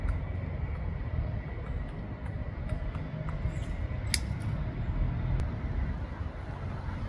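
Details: Steady low rumble of traffic-like noise with a few faint clicks, and no animal voice heard.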